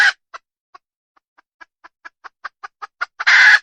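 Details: Wild red junglefowl hen calling: a run of short, sharp clucks that quicken and grow louder over three seconds, ending in a loud, harsh drawn-out squawk; quiet surroundings.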